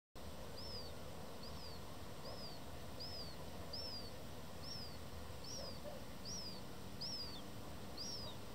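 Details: Black-headed gull fledgling begging for food from an adult at Dojlidy, Białystok, Poland, on 27 July 2024: thin, high whistled notes, each rising then slurring down, repeated about every 0.8 seconds, ten in a row over steady low background rumble.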